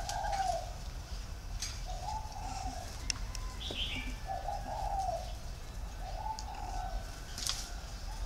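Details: Spotted dove delivering a warm thổ pha three-note coo, repeated low mellow hoots rising slightly within each note, accompanied by occasional clicks and a faint chirp.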